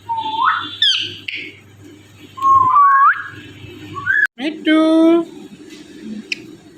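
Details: Indian ringneck parrot, a talking pet bird indoors, mimicking human speech and saying its own name: rising whistled glides, a squeaky upward-swept note, then a harmonic, voice-like phrase, over a steady low hum in a small room.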